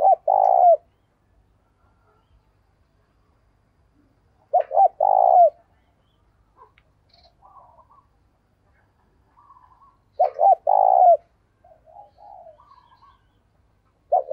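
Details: Decoy spotted dove calling wild birds in the morning, giving three loud coo phrases about every five seconds, each with short hoots and a long coo. Faint higher chirps sound in the pauses.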